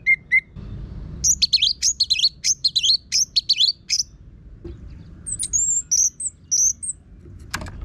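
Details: Orange-headed thrush singing a harsh, loud training song used to get caged birds singing, from northern Bali: a burst of fast, scratchy, high chattering phrases, then a pause and several thin high whistled notes.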